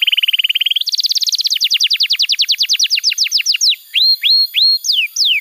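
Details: Canary in lively song, used as a tutor for young canaries and to prompt silent birds to sing: a steady high trill, then a rapid series of falling sweeps that slow into separate upslurred whistled notes.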